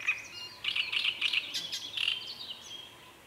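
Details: Song of a great reed warbler, a grating run of repeated harsh notes with a few whistled accents, rising to a louder burst in the middle and then trailing off, over faint background noise.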